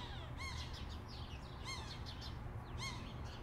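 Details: A pair of sharp-shinned hawks near a balcony by a busy intersection, recorded with a Zoom H6: three clear, arched, slightly nasal call notes about a second apart over a constant low hum of car traffic.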